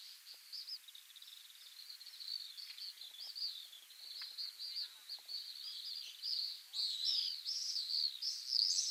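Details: Pacific swifts at a breeding site in Mongolia, giving high, thin, buzzy screaming trills in quick overlapping bursts that grow louder and more frequent toward the end, with faint clicks and soft background noise.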